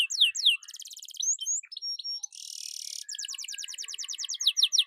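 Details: Energetic canary singing, intended as a lure and model song for other birds. Sharp slurred notes and a quick rattle lead into a buzzy hissing burst, followed by a long run of fast repeated downslurs.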